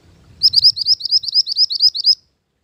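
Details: A mantenan gunung bird, a song used as a lure and as a master for training. It gives a rapid, even series of about fourteen high, ringing, upward-sweeping notes lasting under two seconds, then stops. The background is otherwise quiet.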